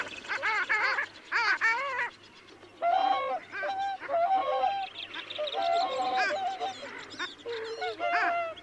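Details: A flock of long-tailed ducks at Liepāja, Latvia, in January 2024 gives nasal, yodelling calls that rise and bend in overlapping bursts every second or so, over a faint low hum.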